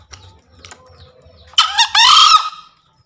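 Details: A green junglefowl gives one loud, harsh two-part crow, a short rasping burst then a longer hoarse drawn-out note, with faint chirps before; used as a lure call for newly caught or quiet birds.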